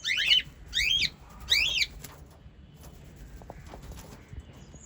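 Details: White pet lovebirds from the parrot family; three loud, quick, rasping chirps in a row, each sweeping up and down, followed by quieter background.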